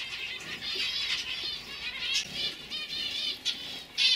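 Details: Young 2015 canaries singing softly, a continuous murmur of high trilled warbles with a few brighter chirps and a loud burst at the very end.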